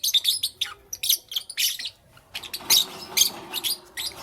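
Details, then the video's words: Lovebirds chirping in the morning, with rapid shrill squeaks and rasping chatter in close succession, a short lull near the middle, then more piercing calls. "Lovebirds Chirping Sounds"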